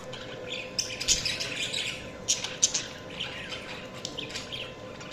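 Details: Budgies chirping continuously, a dense chatter of scratchy, warbling notes with sharp high squeaks standing out, irregular and overlapping as if several birds call together; a faint steady hum lies underneath.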